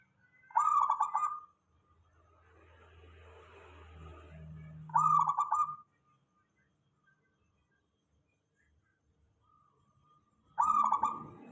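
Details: Zebra dove, local type, singing a lure song to get other doves responding: three trilled, rolling coo phrases, with a low hum and rustling noise between the first two.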